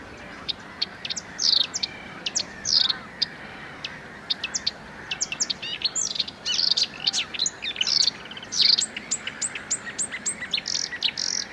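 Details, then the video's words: Marsh warbler (Acrocephalus palustris), a small migratory songbird of wetlands and reeds, singing a fast, varied medley of sharp high chirps, buzzy notes and brief trills in quick succession against a quiet background. "Le chant de la Rousserolle verderolle | Marsh Warbler Bird Sounds"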